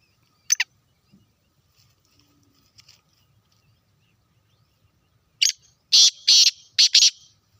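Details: Black francolin calling in Sindh, Pakistan: a single harsh note, then after a pause a loud series of four rasping, grating notes in quick succession, against an otherwise quiet background.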